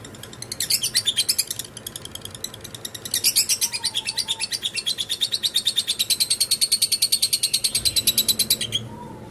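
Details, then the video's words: Long ngekek chatter from a lovebird, starting with two short harsh bursts, then building into a sustained fast rattling series that stops abruptly; a soft whistle is heard twice. "Burung Lovebird ngekek"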